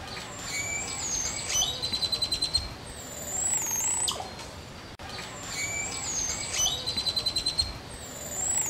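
A Green Oropendola gives high, liquid whistles: rising sweeps, a quick rattling run of bright notes, then a falling glide. The sequence plays twice over a soft background hiss.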